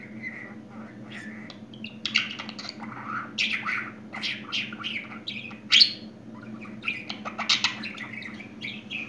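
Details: Pet budgerigar said to have just started talking chatters continuously: strings of clicks, buzzy squeaks and short warbled phrases, with several sharper high chirps mid-way, against a constant low indoor hum.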